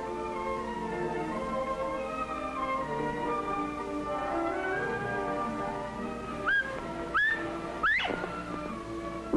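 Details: Orchestral music with sustained strings and a few rising swells; no animal sound is heard.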